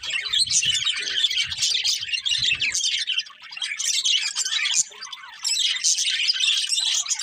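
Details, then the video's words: Breeding pair of colourful budgerigars chirping in fast high chatter with soft low rustling early, a short lull around three seconds and another near five before the warbling resumes. "Colourful Budgies Chirping Sounds"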